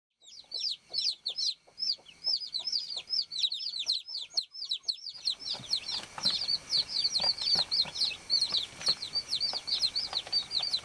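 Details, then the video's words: Many baby chicks on a farm, peeping to call the hen: dense, high, downward-sliding chirps in rapid overlapping series, quiet for the first instant, then a continuous chorus with added background noise from the middle onward. "BABY CHICK CHIRPING SOUND"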